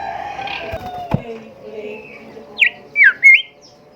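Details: Golden whistler (kancilan emas, bimoli) song played to train caged songbirds: low murmuring and a click at first, then three loud, sharply falling and rising whistled notes close together near the end.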